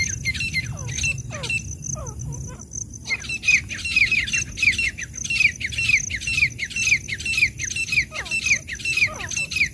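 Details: Female and male black francolin calling: a long run of quick, scratchy, down-slurred notes about twice a second, with a short quieter gap early on. A steady high insect-like hiss and faint low rumble sit underneath.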